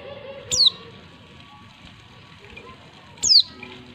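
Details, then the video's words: A female white-eye gives two thin, high, sharply falling notes about three seconds apart over a faint steady hiss; the call is used to provoke lazy male white-eyes into answering and singing. "pleci betina untuk merangsang bunyi pleci bahan"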